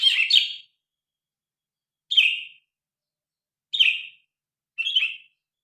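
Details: Grey-cheeked bulbul, phone recording with original sound: four short, harsh, slightly descending chirps spaced one to two seconds apart, against silence.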